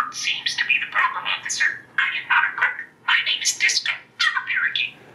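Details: A budgerigar raised with humans for about four years, knowing some 400 words, chatters imitated human speech and sentences in rapid, high, buzzy bursts, several phrases run together with brief pauses over five seconds.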